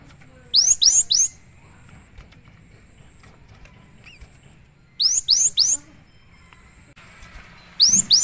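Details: Vigorously singing great tit, a recording meant for training and luring birds: triplets of sharp, high, rapidly repeated swept whistles recur roughly every four seconds over a soft low hum, with a few faint short notes in between.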